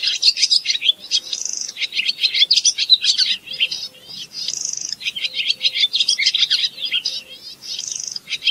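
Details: Barn swallow (Asian swallow) singing a rapid, chattering twitter of high scratchy notes, with brief thin whistled trills recurring about every two seconds; steady and continuous throughout.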